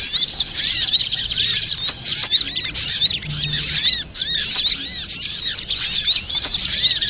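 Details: Bird-trapping lure of the sogok ontong (little spiderhunter): loud, shrill chirping with many arched high notes, nearly unbroken, interrupted only by a few brief dips.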